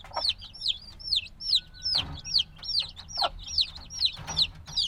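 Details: Recently hatched black chicks, still needing the mother's warmth, produce a steady series of piercing downslurred peeps, about two a second, with occasional soft taps and rustles underneath.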